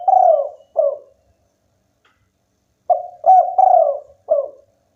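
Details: Spotted dove, local type, singing vigorously: a long falling coo and a short coo, then a fuller phrase of two quick coos, a drawn coo and a closing short coo.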